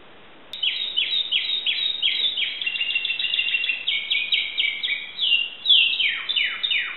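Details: Timbrado canary from Greece in a caged setting, singing a fast series of repeated downward-sweeping notes, about four per second, speeding into a tight trill, then a few slower, broader falling notes.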